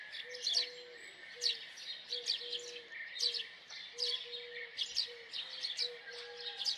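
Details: House sparrow chirps in short bursts of two or three notes, spaced irregularly, while a low flat whistled tone repeats underneath.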